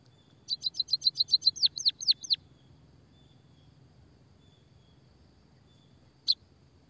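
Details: Energetic emprit kaji, white-headed munia, delivers a fast rolling run of about twelve high, ringing chirps over two seconds, the last notes dropping sharply in pitch, followed by silence and one lone chip.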